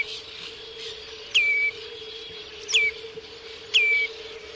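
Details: Common redshank (Tringa totanus) calling: three loud, clear whistles that drop sharply in pitch, spaced over a second apart, with a steady low hum and soft hiss behind.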